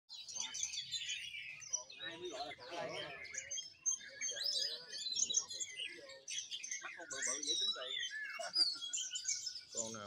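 Several magpie-robins keep up a dense, varied stream of high whistles and chirps, with a man talking briefly in the background.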